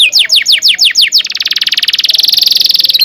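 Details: Canary tutor song for training young birds: about eight loud downslurred chirps roughly every tenth of a second, then a long rapid rolling trill that grows steadily louder.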